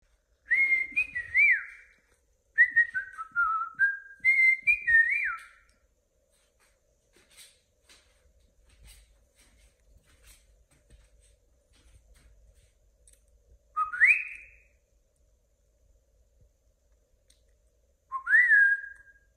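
A cockatiel whistles a short tune of clear, bouncing notes, then gives two rising whistles.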